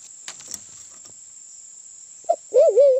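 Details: Lure call of the Sulawesi black pigeon, endemic to Sulawesi: after some soft knocks and rustles, a short hoot sounds, then a long quavering hoot that rises and falls twice. A steady high whine persists.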